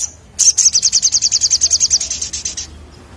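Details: Crimson Sunbird in full 'ngleper ngalas' singing: one sustained, very high, sweeping trill of roughly eighteen rapid, evenly spaced notes over about two seconds, fading slightly at the end against a quiet background.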